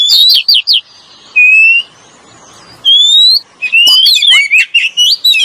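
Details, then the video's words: Oriental magpie-robin, male and female, lure song. Loud, clear whistles: a quick cluster of high notes, then long, pure, upward-slurred whistles with short silences between them, ending in a busy run of chattering, sweeping phrases. No other sounds. "SUARA BURUNG KACER PIKAT PALING JOS SUARA JANTAN DAN BETINA"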